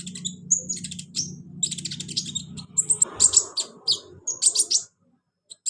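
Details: Olive-backed sunbird song used to prompt a caged bird that will not sing: clusters of very high scratchy chirps and short whistles in bursts, with a low droning background early on that fades, ending in near silence.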